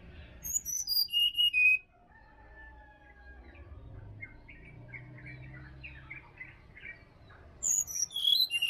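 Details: Wild sirdadu recorded in Bali forest at morning: two bursts of piercing, high whistled notes stepping downward, each repeated, framing a quieter stretch of faint chirps and soft twitters from other birds.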